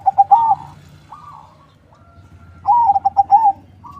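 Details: A farm-bred crossbred zebra dove (perkutut) in Bekasi, West Java, used as a lure bird, gives two bursts of soft, rapid cooing notes, each a stuttering run ending in a rolled coo, about two seconds apart.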